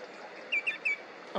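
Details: A Eurasian whimbrel in Jiaoxi, Yilan, Taiwan, on 4 April 2022, gives three quick, clear whistled notes, each slightly falling, then a brief harsher sound, possibly a voice nearby.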